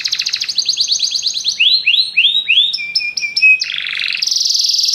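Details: Many canaries sing together after hearing music. Their song moves through rapid trilled chips, a series of looping downslurred swoops, clipped repeated notes, and finally a dense, buzzy, rapid roll.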